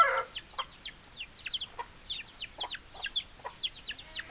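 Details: Chickens: a dense chorus of high, thin downward-sweeping peeps, several birds overlapping, each note a quick falling chirp repeated many times per second, with no other clear sounds.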